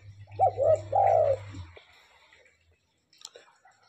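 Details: Tame spotted dove gives a single low phrase of a short coo and then a longer hoarse one, over a low hum, followed by near silence and a faint click.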